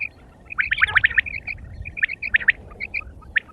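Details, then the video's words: Quail giving quick bursts of short, bright chirps at a fairly high pitch, clustered in rapid groups and then spaced singly, with quiet gaps between bursts and faint low background rumble. "sound of quail"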